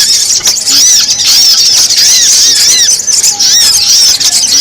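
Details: Sogon lure sound used to attract wild birds down: a busy stream of sharp, arching high chirps, many overlapping, keeping up a steady, noisy chatter throughout.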